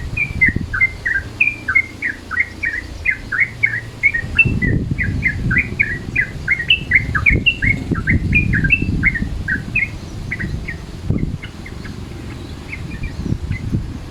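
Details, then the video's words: Midday-mode calling of a sooty-headed bulbul, recorded for use as a lure: a long, dense chatter of short whistled chirps that thins out after about ten seconds, over steady low rumbling noise. "SUARA TRUCUKAN MODE SIANG"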